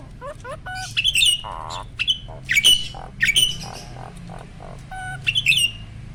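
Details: Mature male Asian pied starling, kept by a breeder, singing vigorously while pumping its body, a display marking adulthood and readiness to mate: harsh squawks mixed with sharp whistled notes and bright metallic chirps in uneven bursts, faint low hum behind.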